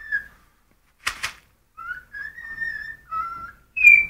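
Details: Hungry pet cockatiel whistling a tune indoors: a string of pure, sustained whistled notes stepping up and down in pitch, one long held tone in the middle, with a couple of brief scratchy bursts between phrases.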